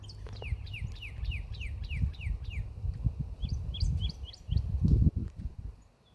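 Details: Singing cardinal, a master bird looking for a confrontation: a rapid string of loud, clean falling whistles, then a second higher burst of slurred notes, with low rumbling noise beneath.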